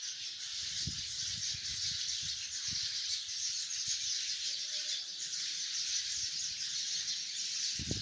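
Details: Massed chirping of hundreds of sparrows perched in a tree: a constant, sizzling blend of high tweets, with scattered faint low knocks underneath.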